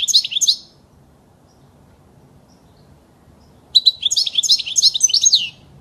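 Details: European goldfinch song to train young birds: a brief burst of tinkling twitter, several seconds of quiet, then a longer rapid phrase of jangling, rolling high notes.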